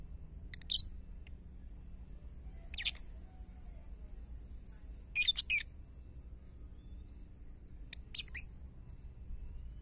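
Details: Lovebird singing ngetik style to provoke other lovebirds into song: sparse, fairly quiet bursts of rapid high chatter every two to three seconds, with a steady faint whine and low background noise.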